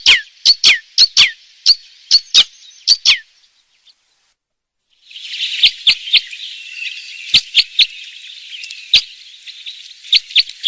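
Red Crossbill song: a quick run of sharp, high, down-slurred notes, a pause, then more scattered notes over a steady hissing rush.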